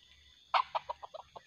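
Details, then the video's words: Red junglefowl being lured in the wild: one loud harsh note followed by five shorter clucking notes, spaced at falling intervals over about a second, over a steady high insect drone. "mikat ayam hutan terbaru//pikat sudah tak sanggup lagi,AYAM hutan nya semakin ganas..!!"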